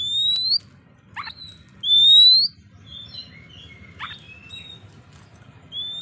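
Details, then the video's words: White-rumped shama song meant to provoke rival birds into fighting: clear rising whistles near 4k with overtones, short downward sweeps and scattered chirps, separated by pauses, over a faint low hum. "pancingan kacer gacor tarung menaikan emosi kacer lawan"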